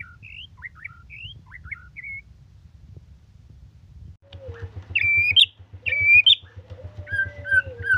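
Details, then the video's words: White-rumped shama singing vigorously: a few short upslurred whistles, a pause, then loud, varied whistled phrases over a steady pulsing low hum. "MURAI BATU GACORRR FULL DURASI"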